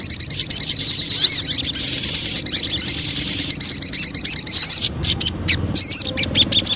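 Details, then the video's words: Javan cochoa lure song: a long, fast, high-pitched trill of repeated notes, ending in short upslurred whistles broken by sharp clicks. "Pancingan Burung Sogon"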